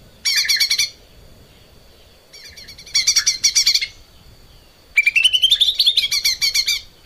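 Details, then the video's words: Lesser green leafbird in full song on a cage-bird training recording, giving three dense bursts of rapid, harsh, high chattering notes separated by short pauses. The last burst carries a rising whistled sweep. "kicau cucak ijo mini gacor buat masteran"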